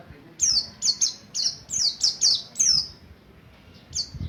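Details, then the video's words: Buxtoni white-eye learning the ngalas ngerol style, sung to lure other white-eyes. Bright, piercing chirps fall steeply in pitch and come in a brisk, regular sequence, then stop short before a final pair of notes. "Burung kacamata pleci Buxtoni belajar ngalas ngerol pancingan untuk pleci lain || CHIRPING SOUND ||"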